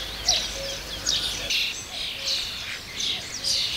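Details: Common starling (Sturnus vulgaris) song: a busy, varied run of high chirps, squeaky whistles and scratchy chatter in quick bursts about every second, with a faint low tone underneath.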